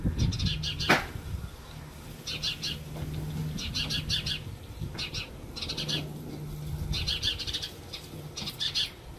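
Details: House sparrow chick placed back in an old nest in a garden palm while its mother is awaited: clusters of rapid high chirps repeat roughly every second, with a low hum and a sharp click near the start.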